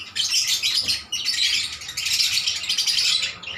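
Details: Lovebirds answering each other with relentless, intense chatter: a nearly continuous stream of piercing, rasping chirps with one brief break early on.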